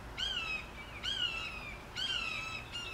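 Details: Recently released juvenile red-shouldered hawk, June 2014, calling to its foster sibling about 100 yards away: harsh, harmonic kee-ah screams slurring slightly downward, about once a second against a quiet background.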